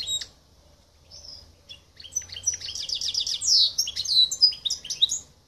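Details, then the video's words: The silver goldfinch x canary mule, Hellas 2023, starts with scattered thin call notes, then builds into a dense, rapid warble of high twitters and downslurred whistles that stops abruptly. "Καρδερινοκάναρο Silver - Ελλάς 2023 | Silver Goldfinch X Canary Mule - Hellas 2023"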